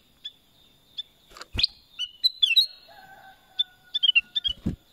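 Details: Black-crested bulbul (kutilang emas) singing scattered clear whistled notes and quick slurred phrases, interrupted by a few sharp clicks or knocks and a faint steady lower tone in the middle.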